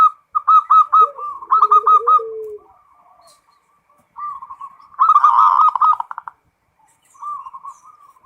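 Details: Zebra dove song in the 'ngerot' manner, starting with quick stuttered hooked notes, then a gap and a loud, rolling, buzzy trill, followed by softer fluttering coos.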